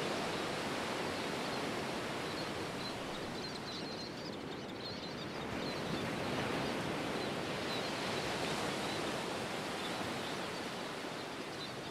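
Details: A steady, rushing roar like surf or strong wind fills the recording, with no distinct animal calls standing out.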